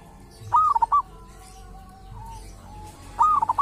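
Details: Wild local zebra dove at a sacred tomb, said to have a characteristic voice of its own. Two loud phrases, each a rising coo trailed by quick trilled notes, with faint drawn-out cooing between them.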